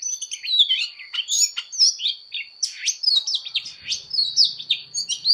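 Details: Oriental magpie-robin singing a fighting song during voice training: a rapid, nearly unbroken stream of varied whistles, warbles and sweeping slurs rising and falling, with a steady thin high whine running underneath the whole time.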